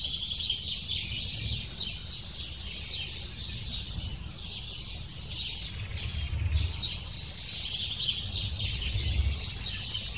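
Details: Lesser spotted woodpecker (Dendrocopos minor) nestling calling insistently to its parents as the female arrives with food: a dense, high, excited chatter of rapid squeaky notes, about three a second, over a low rumble of wind.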